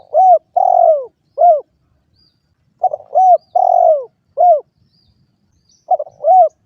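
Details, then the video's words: Spotted dove giving its repeated coo phrase three times: quick hooked notes, a drawn-out descending coo, then a clipped closing note, each phrase a couple of seconds apart. "suara burung derkuku"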